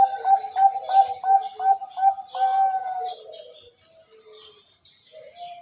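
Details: Captive one-year-old male zebra dove, ringed from Bogor and kept for breeding, sings in the crystal cowong style: a run of about eight clear, ringing, mid-pitched coo notes at a quick steady beat, then softer scattered notes.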